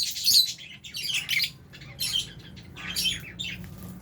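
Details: Aviary lovebirds, albino and Fisher's types, eating alongside budgies; a loud harsh chirp opens, followed by several shorter shrill chirps and squawks at irregular intervals over steady low hum.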